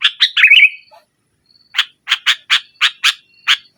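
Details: Sooty-headed bulbul in full nggaruda-style song meant to pressure rivals and prompt quiet bulbuls to sing: a quick run of chirpy notes ending in a wavering warble, then a pause and a string of seven evenly spaced sharp notes.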